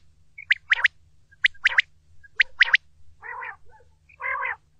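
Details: A quail, its call used for hunting, sounds three crisp high note groups, each a short pip followed by a quick double note, then two lower rasping bursts.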